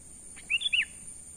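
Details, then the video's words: Natural call of a sooty-headed bulbul, used as a lure: a faint lead-in note and two clear, arched whistled notes rising then falling, delivered quickly once, with a steady high tone in the background. "pikat burung kutilang suara alami"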